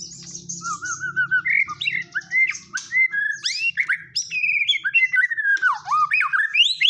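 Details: White-rumped shama, a murai batu, singing a varied song filled in with imitated material: rich whistled phrases, slurred rising and falling notes, sharp chirps and rapid trills, delivered continuously, with a faint low hum behind.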